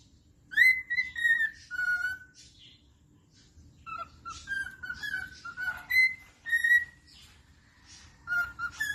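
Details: A cockatiel whistles "Happy Birthday" in clear, sliding notes broken by short chirps.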